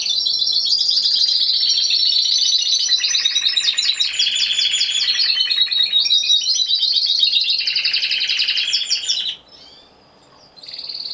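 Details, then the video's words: Timbrado Español canary performing alone at a voice canary competition, 26 November 2015: about nine seconds of loud, rapid rolling trills changing in pitch, a brief pause, then the song resumes. "Καναρινιών Φωνής Timbrado Español"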